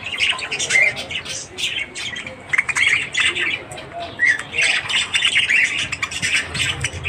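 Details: Budgies warbling in the morning, a busy stream of buzzy, scratchy notes and brief whistles in quick irregular bursts, loud and continuous throughout.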